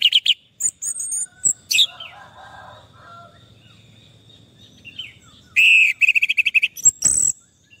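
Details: Orange-headed thrush song, used as therapy for stressed birds that have stopped singing: scattered loud whistled and chirpy phrases separated by pauses, ending in a burst of rapid notes, over a steady low hum.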